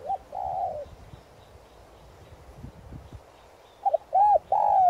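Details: Spotted dove used as a decoy for wild doves, 'son' voice: a long wavering coo opens, a quiet stretch follows, then a stuttered note and arched hoots begin a new phrase.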